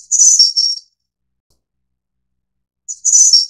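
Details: A Snowy-browed Flycatcher (Taiwan subspecies Ficedula hyperythra innexa) gives two brief bursts of very high, thin, wheezy notes, about two seconds apart, with silence between.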